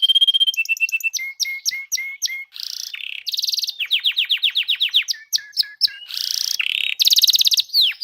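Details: [3, 'Training recording of songbirds for competition birds, full-duration bursts: level whistles, repeated short chirps, buzzy rattles and a quick series of sharp downslurred notes, all high-pitched and rapid.']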